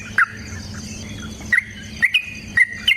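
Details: Sooty-headed bulbul giving a chatty rolling song meant as a lure for other birds. Five sharp, short whistled notes are spaced about half a second apart over a quiet, slightly hissy background.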